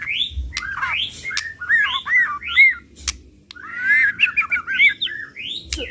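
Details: White-rumped shama 'pastol' lure song: arching, slurred whistles repeated in loose series, with interspersed sharp clicks and short upward sweeps, lively and emotional in tone.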